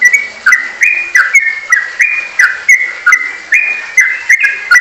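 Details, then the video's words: Trucukan, the sooty-headed bulbul, in ropelan style: loud, fast whistled phrases repeated about every third of a second, each a sharp note dropping into a slurred lower whistle. The run is steady and unbroken. "Burung Trucukan saat Ropelan"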